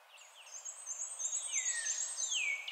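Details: Yellow-throated warbler song recorded in Arkansas: a quick run of thin, high, sweet notes that slide downward in pitch, ending in a few lower slurred whistles.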